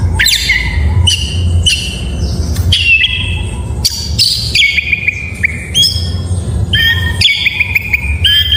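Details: Oriental magpie-robin in morning song, clear whistled notes held steady or sliding, given in separate phrases about every half second to second, some with harsh overtones, over a low rumbling hum.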